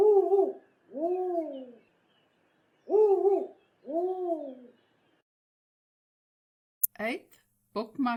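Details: Spotted Eagle-Owl: the male's two-note call opens, heard as two soft, deep two-note hoots, the second note lower, about two seconds apart; the female gives a three-note call, and a man's voice begins at the end.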